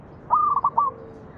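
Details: Zebra dove cooing phrase played to prompt other doves to sing: one brief clear whistle dissolving into two quick trilled notes, ending in a faint low hum.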